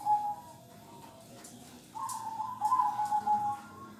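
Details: Local zebra dove singing in the kong style: soft, faint cooing at first, then from midway a clearer run of level, purring coo notes held at one pitch, with light background noise throughout.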